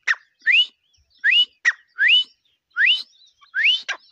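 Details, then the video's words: Grey francolin giving a rapid run of rising, whistled notes, five within about four seconds, alternating with short sharp clipped notes. "Teetar awaz | teetar sounds"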